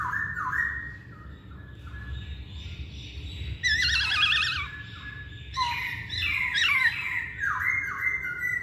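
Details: Masked laughingthrush singing in a lure recording meant to stir other birds to sing: rolling whistles at the start, a bright burst in the middle, then several sharp falling slurs and wavering whistles.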